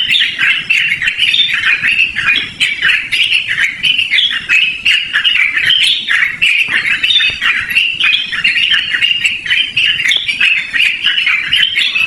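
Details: Sustained, loud Yellow-vented bulbul song for luring or as a training master: a steady torrent of chirpy, bubbly notes, roughly three per second, tumbling up and down without a break.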